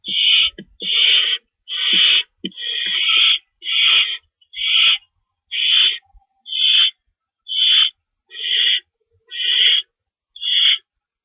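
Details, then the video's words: Owl at a lookout just after midnight on March 24, 2012, screeching after a chase of a mystery owl; a steady run of eleven rough, hissy screeches roughly once a second, with faint clicks early on. "Mystery Owl Chase With Sound Effects"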